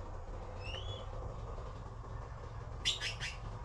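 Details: Blue magpie chicks waiting for their mother to bring food give a quick run of three harsh, grating rasps near the end, preceded by a faint thin whistle from another bird over low background noise.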